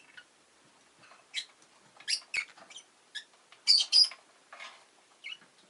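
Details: Pet Rosy-faced lovebirds, a newly added pair, keep up a busy stream of short high chirps and squeaks, several rapid in succession, with two louder shrill notes near the middle.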